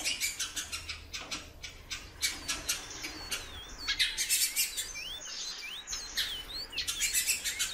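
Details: Great-billed seed-finch female, very vocal, giving a run of clear hooked whistles in the middle seconds, surrounded by loud busy bursts of dry clicking chirps.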